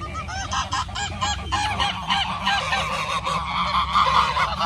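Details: Ducks with their ducklings in Puebla, Mexico, in 2020 during the pandemic: a rapid run of nasal, harmonic quacks, many overlapping and repeated several times a second, over a steady low rumble.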